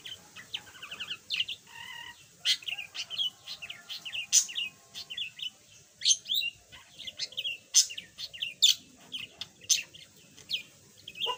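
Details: High, squeaky warble from a yellow pet budgerigar that once made no sound and now chatters a little: quick chirps, short ticking runs and sharp clicks in a continuous chatter.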